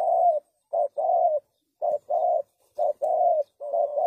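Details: Spotted dove, call used for trapping doves, cooing steadily in couplets: a short hoot then a drawn-out level coo, repeated about every second with brief silences.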